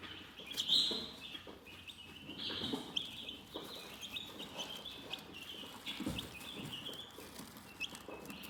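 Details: Chickens chirping calmly: a steady stream of thin, high peeps, many overlapping and slightly rising, with a few louder bright notes near the start and soft scratching and rustling underneath.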